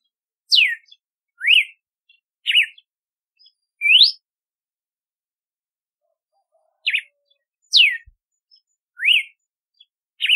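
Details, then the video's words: Song of a red-cowled cardinal (galo-de-campina) in two bursts of crisp whistled notes, falling, upswept and wavering, separated by a silent gap of about three seconds. "Canto do Cardeal do Nordeste / Galo de Campina / Campina | Red-cowled Cardinal"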